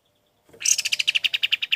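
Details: Golden-bellied gerygone, recorded for training songbirds: a sudden burst of high whistles, starting buzzy and bright, then settling into rapid, evenly repeated descending notes.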